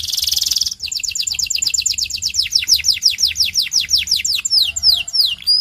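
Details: Belgian canary song used to train and stimulate canaries to sing: a rapid series of clear descending whistled notes repeated about three per second, ending in sharper slurred chirps.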